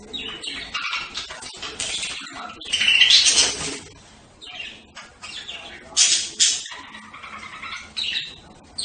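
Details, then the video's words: Budgerigars chatter in quick, high, scratchy warbles and chirps, bursts coming several times a second with brief pauses between. "صوت طيور هند(البادجي)"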